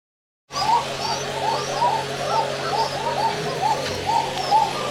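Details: Koka pigeons in a farm loft in the afternoon coo steadily, with soft rounded notes rising and falling about once a second.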